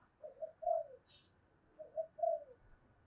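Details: Decoy spotted dove in thổ đồng voice, goading rivals to fight: two soft cooing phrases, each of short notes leading to a longer falling coo, heard faintly over a low hiss with a brief higher squeak between.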